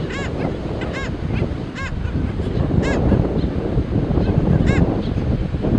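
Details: Black skimmers calling from a colony with chicks: about six sharp, barking nasal yaps at uneven intervals, plus softer distant calls, against heavy wind and surf noise.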